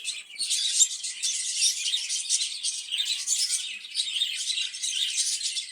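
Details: Budgerigars kept in a cage for breeding; continuous dense warbling chatter of high, scratchy chirps and twitters, overlapping without pause for the whole stretch, steady in loudness.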